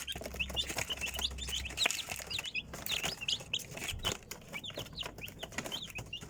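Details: Chicks peeping steadily: bright, slurred high chirps repeated in quick clusters, with rustling, tapping noises and a low hum at the start.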